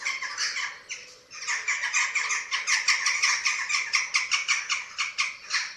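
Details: Eurasian eagle-owls at a nest filmed by webcam in Germany on 27 March 2024, while chicks are fed. Harsh, harmonic squawks repeat rapidly in a dense chattering series after a short quieter opening.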